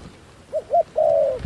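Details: Caged decoy dove luring wild doves, giving one phrase of two quick soft hoots followed by a drawn-out, level, slightly falling coo.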